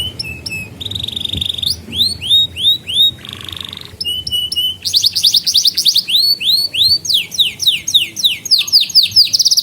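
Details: Vigorous canary song for training young birds: clipped whistled notes, a steady buzzy trill, series of rising swoops and fast rattling phrases, switching quickly between varied tours.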